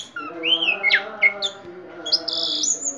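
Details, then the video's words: Orange-headed thrush carrying a ring, singing vigorously: looping whistled slurs, sharp downward notes, then a sustained high warbled phrase, over a continuous low hum. "Anis merah gacor teler"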